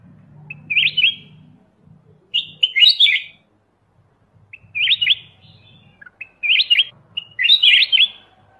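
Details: Black-crested bulbul, Pycnonotus melanicterus, repeating brief chirpy warbled phrases every one to two seconds, each a quick cluster of slurred notes, with a low humming murmur underneath at times.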